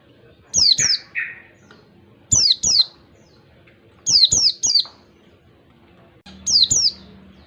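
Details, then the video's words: Wild oriental white-eye lure in the 1-2-3 beat pattern: four bursts of thin, falling whistles, mostly in twos with one run of three, about every two seconds, over a low hum. "pancingan pleci ngalas 1 2 3 ketukan terampuh buat pancingan segala jenis pleci"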